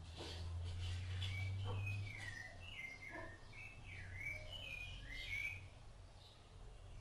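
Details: Rufous-bellied thrush feeding its chicks; a run of clear whistled phrases near the upper-middle range, some rising, some falling, delivered quickly over several seconds, with a low rumble underneath.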